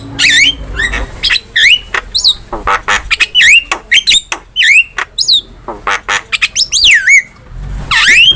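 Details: Master recording of a vigorous Javan myna song, meant for teaching cage birds: chattering clicks and harsh rasps broken by clear looping whistles that swoop down then up, with a few drawn-out whistles near the end.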